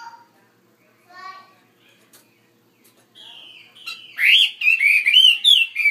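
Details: Caged Chinese hwamei in a bigger enclosure; after soft notes and a thin sustained whistle, it bursts into loud, rich warbling song with quick rising and falling slurs.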